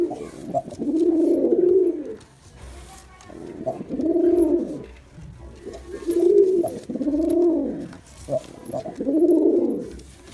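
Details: {'caption': 'Male Girabaj pigeon performing, giving deep, throaty, rolling coos. Each coo swells and fades over about a second and repeats roughly every two seconds, with faint background rustling.'}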